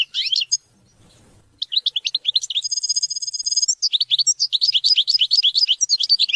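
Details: European goldfinch singing, played to teach and motivate hunting and mating: rapid, liquid twittering notes tumbling in quick succession, broken by a sustained nasal buzzy trill midway, then a long run of fast chirps.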